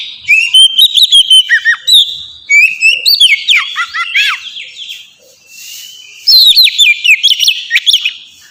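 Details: Pet Oriental magpie-robin's 'ngeplong' song, used to lure birds: a steady whistled note, varied chattering and sliding phrases, then a final bright run of whistles.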